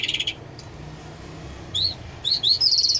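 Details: A Mashadi Jal lark singing non-stop gives bright, high bursts: a buzzy trill, then quick rising chirps and warbled phrases tumbling together, over a low background hum.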